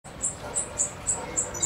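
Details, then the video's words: European goldfinch from Macedonia, recorded 7 July 2011, singing in the Suki Makedonski style: a brief run of thin, very high chirps repeated about every third of a second over a faint steady hiss. "Suki Makedonski-Carduelis carduelis"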